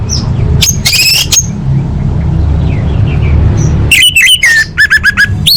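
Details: Orange-headed thrush in full-fill song style used to train contest birds: two brief bursts of bright, fast trills early on, then from the fourth second a quick run of sharp, looping whistled notes over steady low rumbling noise.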